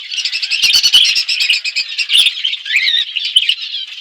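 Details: Several budgies chatter while feeding on seeds in a forest-surrounded outdoor aviary: a continuous busy twittering with quick chirps and a short rising whistle near the end, plus a few brief taps early on.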